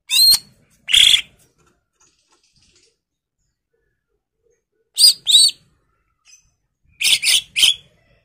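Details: Greater green leafbird singing actively, used as a lure to spur other birds, song full of varied fill phrases; short sharp chirps in scattered bursts of one to three notes separated by long silent gaps.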